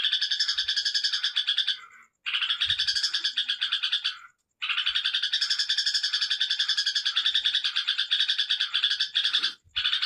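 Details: Yellow-vented bulbul singing in the ngekek style: long runs of rapid, dense, bright chattering notes that pour on almost without pause, broken by two short gaps and ending in a brief stop, with no other sounds clearly present.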